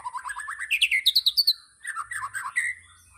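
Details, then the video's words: White-rumped shama in tembakan style: a rapid series of about a dozen notes rising steadily in pitch to sharp high chips, a brief pause, then a lower tumbling warbled phrase ending in a short whistle. "Tembakan Murai Batu Yang Membuat Kita Tidak Bosan Menontonnya Berkali-kali || WHITE RUMPED SHAMA"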